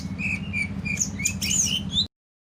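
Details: Greater green leafbird singing; the recording concerns shaping the bird to be more of a fighter. Clear short whistled notes repeat about every third of a second, then higher sweeping chirps, over a low steady hum, cut off abruptly.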